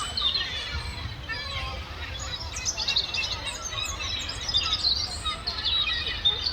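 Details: Seagulls squabbling over food, a dense chorus of high, squealing and chattering calls overlapping throughout, with steady low background rumble.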